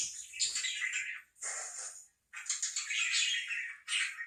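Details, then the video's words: Close parakeet warbling in dense, buzzy, high-pitched phrases, separated by short silences. "4 minutes of parakeet sounds"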